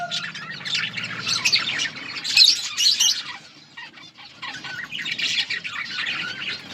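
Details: Budgerigars in a colony chirping while eating: a dense chorus of many overlapping high, scratchy chirps and chatter, bursting in waves with a brief lull midway.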